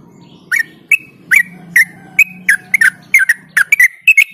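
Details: Yellow-vented bulbul (trucuk) in rapid ropel-style song, used as a lure to get reluctant birds singing: a run of short, bubbly, slurred notes fired off every half second or so, with a faint low hum underneath.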